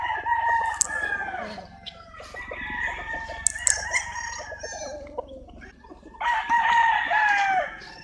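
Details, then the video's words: Roosters crowing among clucking chickens, several drawn-out harmonic crows overlapping with shorter clucks, one long crow rising again near the end. "Chicken sounds, Roosters Crowing sound effects"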